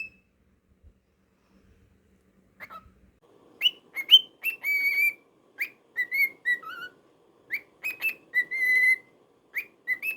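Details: Pet cockatiel, a male bird, whistling indoors after a quiet start: clear tonal notes with bright overtones, some rising sharply, others held steady, in short bursts spaced under a second apart over the last seven seconds.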